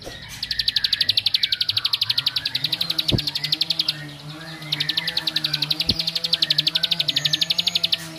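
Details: Bar-winged prinia song, said to provoke other males and make them agitated: fast, even series of sharp clicking notes, about four per second, in two long bursts with a short pause, over low steady hum and a few thumps.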